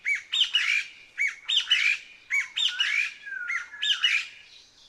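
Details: Squeaky song of the Taiwan Partridge, a Taiwan endemic of dense forest undergrowth: rhythmic bursts of upslurred squeaks about every half second to second, with a drawn-out falling whistle midway.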